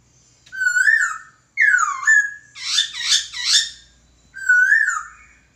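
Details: Laughingthrush master song for training birds: loud, clear whistled phrases, some sliding down and others rising and falling, with a rougher burst of harsh warbled notes in the middle, in a quiet room.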